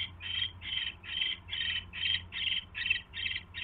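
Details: Owl at the nest as a mouse is delivered, January 29, 2016, evening; rapid run of short rasping hisses, roughly two or three per second, fairly even in spacing, with faint background hum.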